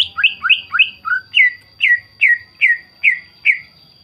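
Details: A greater green leafbird sings a lure song meant to set other leafbirds singing: quick paired whistles, then steady repeated downslurred notes roughly every 0.4 seconds, with a faint constant high whine in the background.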